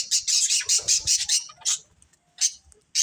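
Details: Budgerigar breeding pair uttering a quick burst of about seven high chirps, then a pause broken by two isolated chirps.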